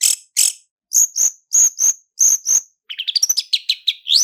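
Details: Long-tailed shrike lure song with full fillers in roll speed and roll tembak style: high paired notes repeated about once a second, then a quick jumble of rising whistles and twittering.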